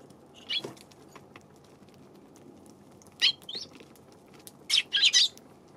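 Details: Eurasian tree sparrow on 7 February giving sharp, short high-pitched chirps: one lone note, then a pair a few seconds later and a quick cluster of three near the end, over a quiet low hum.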